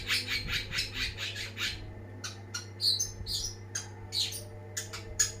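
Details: Long-tailed shrike song starting with a quick rattling run of scratchy notes, followed by separate high chirps and squeaky squawks, above a steady low hum.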